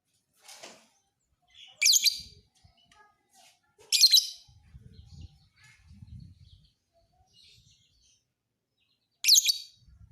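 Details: Piercing, scratchy shrieks from a fighter lovebird kept for training other birds, four bursts spaced irregularly a couple of seconds apart, with low muffled thuds and faint chirps between them.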